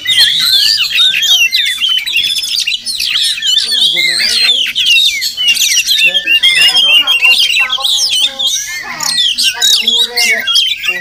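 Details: Wild Oriental magpie-robin (Murai Kampung) that visits a village home every morning and may be nesting nearby; a dense, nonstop stream of high whistles, sharp chips and rasping notes crowding one another, recorded with limited equipment.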